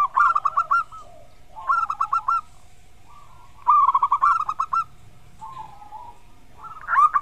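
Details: Local zebra dove singing loudly: phrases of quick, bubbling, trilled coos, each a rapid run of rolling notes lasting about a second, repeated with short pauses between.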